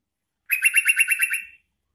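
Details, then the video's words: Sooty-headed bulbul used to call in wild bulbuls, delivering a single one-second burst of about eight fast, harsh chattering notes. "Suara Trucukan Gacor Garuda Panggil Trucukan Liar"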